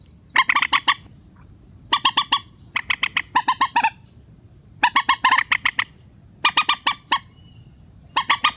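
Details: Rail call from a relaxed-sounding lure recording for net trapping: dense runs of loud, rapid, nasal squawking notes in repeated bursts with short breaks.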